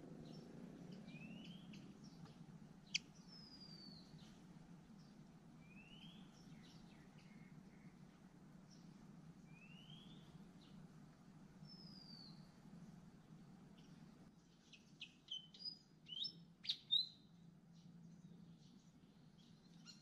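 Hungry Malaysian Pied Fantail nestlings give thin, high slurred calls, ending in a burst of sharp chips.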